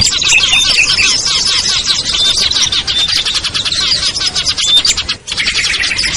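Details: Dense small-bird lure chorus, for luring ciblek, kutilang, trucuk, sogon, perenjak and others down: continuous shrill chattering with scattered brief whistles, a short break near the end, then a lower steady trill.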